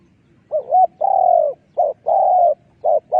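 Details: Spotted dove calling as a decoy for trapping wild doves: a run of five or six soft, hollow coos, two of them long and level, with brief pauses, over quiet rustling.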